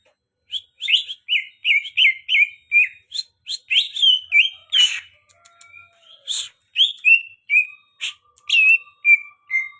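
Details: Very tame greater green leafbird (cucak hijau) singing a lively run of loud, clear whistled phrases, each brief and slurred, some rising and some falling, delivered in quick succession with short pauses between them, and with a few sharp chips mixed in.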